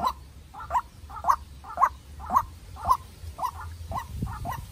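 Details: White-breasted waterhen decoy, young and raised in captivity, answering a wild bird in a heated exchange: nine croaking double notes at an even pace of about two per second, fading slightly at the close.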